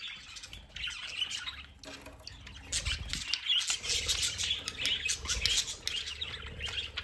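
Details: Several budgerigars playing in their aviary play area, giving a busy, scratchy warbling chatter with squeaky chirps that grows denser after the first two seconds, with light rustling and tapping underneath.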